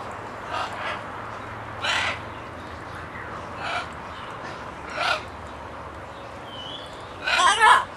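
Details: A talkative parrot utters sparse, isolated harsh squawks about every second or so, ending in a louder double burst of rough, grating notes; a quiet hum underneath.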